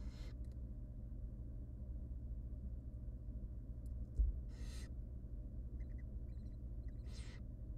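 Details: Harsh wheezing hisses, three spaced bursts plus faint clicks, come from three tiny wild barn owl nestlings begging while their mother feeds them in a monitored nest box, above a low steady hum.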